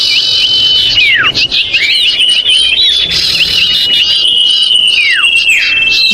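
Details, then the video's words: Lure recording of a common iora calling noisily: shrill sustained whistles with quick chirping notes, and several long downward sweeps. Thin high notes sound above. The sound is continuous and loud, meant to draw birds down. "Suara pikat sirtu/Cipoh ribut menjerit"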